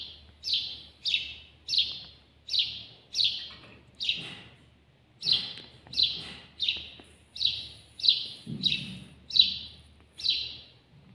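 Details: Close-range house sparrow (al-jawj) delivers a nearly continuous string of about seventeen loud, slightly falling chirps in eleven seconds, broken by one short pause.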